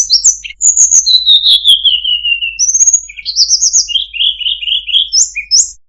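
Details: Melodious Sunda robin (tledekan gunung) song with good cengkok: long high whistles that slide downward, a rising whistle, then rapid repeated chirps and short sharp upward notes in close sequence. The background is quiet.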